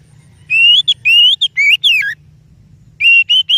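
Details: Oriental magpie-robin song suited as a lure for other birds: loud, clear whistled phrases rising slightly, sung in two bursts separated by a short pause, with a faint low hum beneath.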